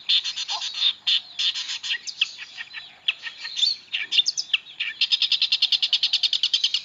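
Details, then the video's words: Long-tailed shrike singing a varied, full song used for training magpie-robins: dense high scratchy notes and quick chirps, mimicked phrases, ending in a fast run of evenly repeated clicking notes, about three per second. "Pentet istimewa.... isian oke banget. pas buat masteran burung murai."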